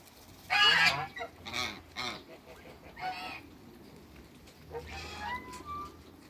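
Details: In a backyard, two male African geese and one female honk in a burst of loud nasal blasts, several in quick succession, then quieter calls and a rising squeaky note later.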